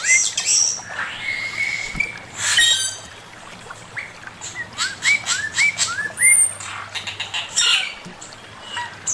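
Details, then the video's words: Male Chinese hwamei giving master song: long slurred whistles sliding down, then a run of short rising upslurred notes near mid pitch and high thin squeaks, with a faint low hum underneath. "Burung poksay mandarin suara masteran Poksay mandarin jantan"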